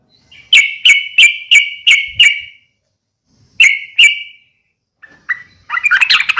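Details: Fighting call of a yellow-vented bulbul, used to stir other bulbuls to reply: six clear ringing notes in an even series, two more after a pause, then faint notes leading into a scratchy, excited chatter.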